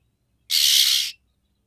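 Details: Female oriental magpie-robin calling to a male to stimulate his mating drive: one harsh, raspy, hissing note lasting just over half a second, then silence.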